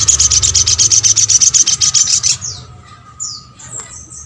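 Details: Sunbird that stirs other birds to respond: a steady series of about four high, clipped notes per second for two seconds, then a few thin downslurred whistles.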